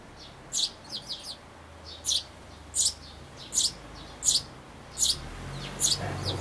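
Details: Nestling sparrows about to leave a birdhouse, filmed 12 May 2012 with an Everio camcorder: a run of high shrill chirps, some in quick clusters, repeated about once a second, over background hiss and a faint low rumble.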